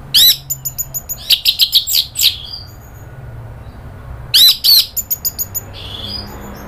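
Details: Excited orange-headed thrush in nratak mode: loud sharp notes followed by quick chirping runs with high whistles, repeated about three per second, two bouts separated by a pause of roughly two seconds.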